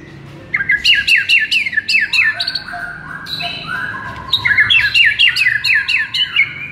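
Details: White-rumped shama song meant to rouse a sluggish shama: runs of quick, sharp, downslurred chirps, about two a second, with a warbled middle phrase and then another rapid chirping run.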